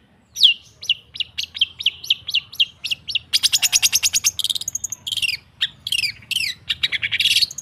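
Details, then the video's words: Long-tailed shrike training song: a series of clear downslurred whistles repeated about twice a second, then a rapid buzzy trill and more varied whistles and chatter. "Suara TERAPI pancingan cendet /pentet macet total"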